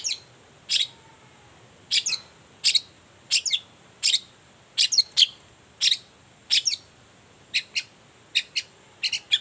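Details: Long-tailed shrike singing in the morning as a lure for other shrikes to answer; harsh chattering notes, often doubled, repeated briskly at well over one per second, over a constant thin hiss.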